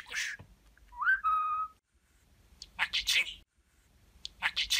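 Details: Pet budgerigar known for kiss-heavy talking: a clear rising whistle with a held tone, a pause, then two bursts of high, hissy chattered speech imitation indoors.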